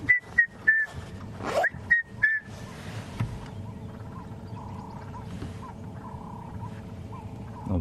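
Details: A Red-chested Cuckoo, a summer bird, calls on a morning safari drive on November 5, 2015. It gives two quick runs of three clear, slightly falling whistled notes, followed by vehicle engine rumble and faint chirps of other birds.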